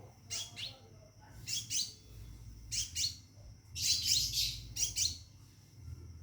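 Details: Mating call of a caged Scarlet minivet: groups of two or three high, thin, whistled notes, a denser longer burst near the middle, over a steady faint high whine.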